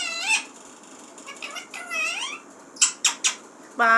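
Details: Indoor talking parrot producing long, rich, voice-like syllables that dip and climb in pitch, followed by three sharp clipped calls and a loud buzzy closing note.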